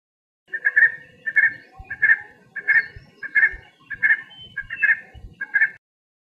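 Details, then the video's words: Red Spurfowl at daybreak, leaving its night roost, gives a rising call reasserting its claim over the site: about eight harsh, clucking notes with a rising edge, evenly spaced roughly every two-thirds of a second. "this is one of the calls we hear at daybreak however it is difficult to trace the call"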